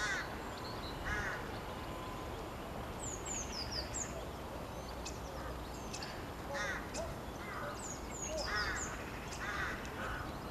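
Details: A common starling in a park at Bishopbriggs on 9 March 2020 sings a busy medley of high descending whistles, clicks and rattly chatter, over steady background rumble like wind or distant traffic.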